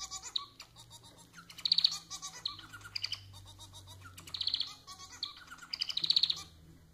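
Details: Domestic society finch, Lonchura striata domestica, kept as a pet, giving a chattering song meant to set others singing: repeated buzzy rattles and clicks in phrases about every two seconds, with faint background hum.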